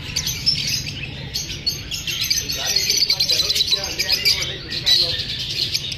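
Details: Lovebirds feeling unsafe from being filmed keep up a dense, busy twittering of high chirps from many birds, steady and overlapping, with brief sharper peaks scattered through.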